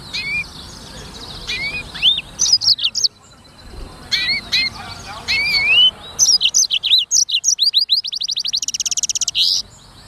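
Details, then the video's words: Black-throated canary, locally called sanger, in lively gacor singing: bright whistled notes and rising upslurs, then rapid trills building to a fast buzzy series near the end, with a faint background hiss. "BURUNG FINCH EDEL SANGER / BLACKTHROAT Suara Gacor Materi 100% Jernih"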